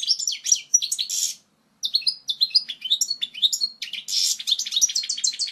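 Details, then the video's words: European goldfinch pouring out a strong, pure song for chicks to learn: choppy twittered notes, a brief pause, then lively varied chirps building into a dense, buzzy, trilling finish. "لغة الحسون الاصلية القوية و الصافية لتعليم الفراخ Chant Chardonneret"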